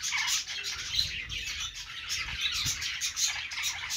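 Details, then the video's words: Caged budgies singing while perched, giving an unbroken stream of high, scratchy twittering and short squeaks. Faint low thumps sit underneath. "budgies sounds | love birds sounds | budgies singing on perch"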